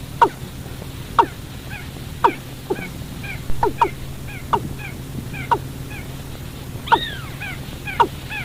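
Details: Watercock recording for luring birds at night: clipped, sharply descending notes about once a second, with soft higher arched notes and one longer swooping note near the end, over a low hum.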